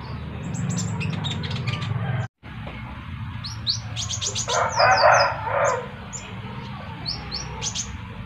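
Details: Kolibri ninja sunbird calling while another sunbird answers; sharp, high, downslurred chirps come in quick bursts and short runs, with a brief gap near the start and a burst of noisy rustling in the middle.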